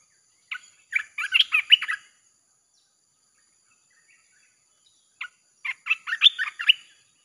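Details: Red-whiskered bulbul song played to attract wild birds: two separate bursts of fast, chattering warbled notes, each about a second and a half long, split by a quiet gap, with a faint constant high tone.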